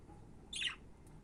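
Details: A budgerigar lets out one brief, raspy squawk that falls slightly in pitch, over a faint low indoor hum.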